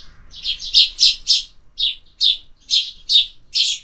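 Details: Sparrows at a feeder in summer, giving a run of loud, bright chirps in quick bursts, roughly two or three per second, with short pauses between groups; no other clear sounds.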